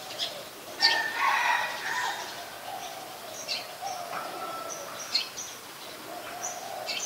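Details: Adult red-whiskered bulbul in Ubon Ratchathani, Thailand, recorded 3 January 2021: a loud burst of rich warbled notes near the first second, then scattered short high chirps at irregular intervals over a steady low background hum.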